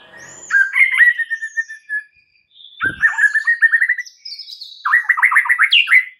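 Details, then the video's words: Lure song (pancingan) of a white-rumped shama for getting other shamas to respond: whistled notes running into fast trills, three phrases, the last rising into a bright high flourish; a brief thump midway. "dengar PANCINGAN murai Batu ini dengan CEPAT murai anda langsung NYAUT seketika"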